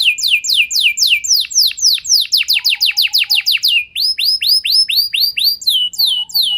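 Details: Canary song meant to draw other canaries into singing: fast runs of downward-sweeping whistles shifting to a slower series of arched, ringing high notes, several tours changing in pace.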